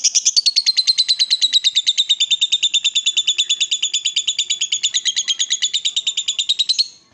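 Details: Excited lovebird provoked into a long ngekek chatter: an unbroken, fast, regular buzzy trill of rapid high pulses running for about seven seconds, pitch dipping slightly then steady.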